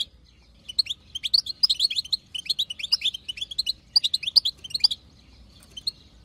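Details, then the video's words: European goldfinch, wild-caught, female chatter played to stir a male into song: dense runs of bright, tinkling twitters and quick chips, a long busy burst in the middle, then sparse notes near the end. "بتبتة حسون خلوي تهبل الحسون تخلي يغرد غصب عنو"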